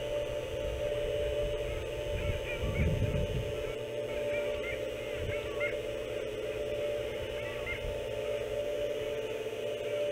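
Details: Canada geese at a boathouse, captured by a fixed camera on 14 March 2017. Scattered honks come in loose clusters through the clip against a constant droning hum, with a deeper thud near the start.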